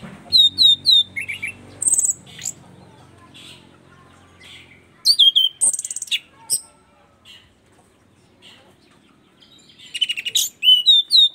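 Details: Orange-headed thrush from East Nusa Tenggara singing actively after getting used to the camera: clusters of quick high chipping notes and whistles, a long pause, then renewed bursts of rapid repeated notes.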